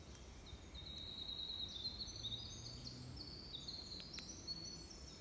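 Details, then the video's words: A male winter wren on an early spring morning in Maine sings a long, rapid cascade of very high, thin trills and tinkling notes that runs unbroken for several seconds, over a low rumble of background noise. "Male Winter Wren Singing"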